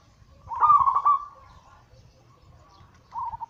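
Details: Captive zebra dove singing an anggungan coo used as a daily lure to set other doves singing: one loud trilled coo phrase, then quiet, then a shorter beaded phrase starting at the end.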